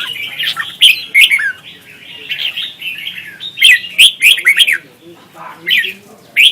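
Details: Red-whiskered bulbul from Vietnam in contest singing, used as lure song to train and stir other bulbuls to sing; loud, bright whistled phrases in quick chirpy bursts, about five bursts over several seconds with short pauses.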